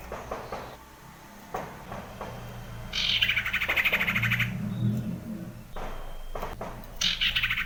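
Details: Wild common iora sings rhythmic, rattling buzzy phrases with a rapid pulsed texture, repeated in bursts against a busy background of low rumbling and other outdoor noise.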